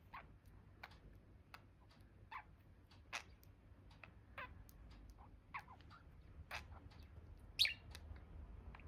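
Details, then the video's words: Budgerigars chirping: scattered short, high chirps and ticks spread irregularly, with one brighter squeak near the end and a low background hum throughout. "Budgies sound || Chirpy Birds"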